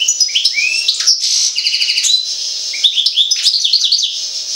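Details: European goldfinch connected with Jagodina sings a dense burst of tinkling twitters, a rapid rattling trill and sharp chirped phrases, loud and continuous throughout.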